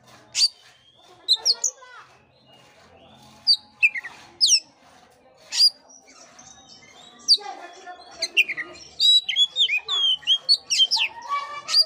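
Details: Oriental magpie-robin song meant to rouse a listless bird: scattered sharp high chips and whistles at first, then a dense, continuous run of varied squeaky notes and short trills.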